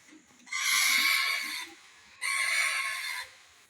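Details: Green ringneck parakeet from India, kept with a baby parrot, uttering two long rasping screeches about a second each, separated by a brief pause, over faint low background noise.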